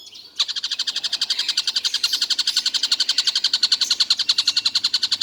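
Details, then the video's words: A collared kingfisher, described as calling non-stop all day, breaks into a fast train of harsh, clipped notes roughly four a second after a brief quiet start, keeping an even pace to the end. "Tengkek buto seharian bunyi tidak berhenti"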